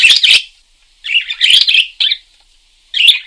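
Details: Parakeet singing energetically: bursts of harsh, buzzy chirps and chatter, a dense run near the start, a longer warbling phrase in the middle, then a short final burst, with silent gaps between.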